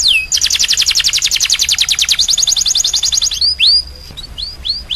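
A domestic canary sings a fast rolling trill of high, bright notes for about three seconds, then gives a few separate rising whistled calls.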